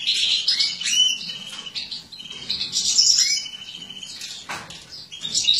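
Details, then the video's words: European goldfinch hen from captive-bred mutant stock, feeding; loud high chirps in clustered bursts with brief pauses, some notes sliding downward, plus a wing flutter. "Jilguera embuchando"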